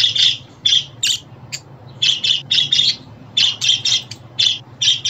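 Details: Pet budgerigars, played to make a budgie happy and help a new or young bird settle in, give busy squawky chirps in bursts, some doubled, with short pauses between clusters.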